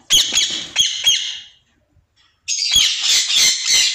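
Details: Caged pair of white ringneck parakeets: harsh, raspy, broadband squawks in quick bursts, a silent pause of about a second, then a longer run of grating screeches.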